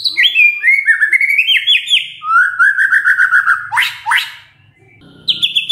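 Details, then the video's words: White-rumped shama song used as a lure to prompt other shamas to answer: rich whistled phrases sliding up and down in pitch, a long warbled trill, then sharp rising notes and a final high repeated phrase. "pancingan murai batu ini bikin GAMPANG NYAUT murai lainnya"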